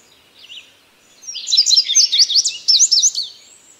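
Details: Indigo bunting gives a soft opening note, then a bright phrase of rapid, high, paired chirps lasting about two seconds before falling silent.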